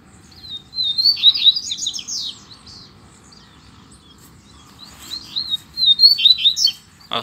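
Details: Two male double-collared seedeaters dispute in song with a loose bird. Two bright phrases are heard, several seconds apart. Each starts as a clear whistle and runs into rapid, jangling, descending notes, with quiet background between.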